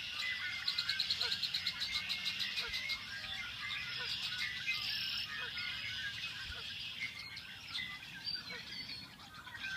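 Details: Red-winged blackbirds nesting in the marshes of a small lake in Fremont, Indiana: dense high chirps and chattering from several birds, a rapid buzzy pulsed trill in the first three seconds, then scattered sharp notes.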